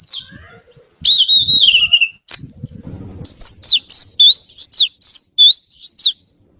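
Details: Oriental magpie-robin, known locally as kacer, a kept bird, singing: long sweeping whistles, then a fast run of short high whistled notes rising and falling, with faint low rustling early on.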